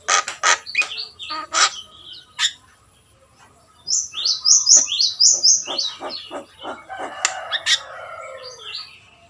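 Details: Javan myna, called jalak kebo, singing in a lively gacor style: sharp clicks and harsh chatter mixed with a run of rising, buzzy high whistles repeated in quick succession.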